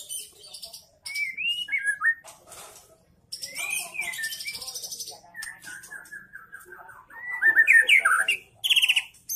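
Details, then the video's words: Caged young speckled 'trotol' white-rumped shama, a 'gacor' bird that sings often, used as a lure to prompt other shamas: varied song of rich whistled slurs, rising and falling phrases, and bursts of fast buzzy trills between short pauses. "MURAI BATU GACOR || Pancingan Murai Batu Trotol,langsung nyaut"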